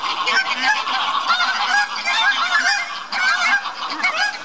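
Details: Captive lesser white-fronted geese at Tama Zoological Park, Japan, 24 November 2015, kept alongside northern pintails: constant overlapping squeaky, yelping honks from several birds, loud and dense throughout.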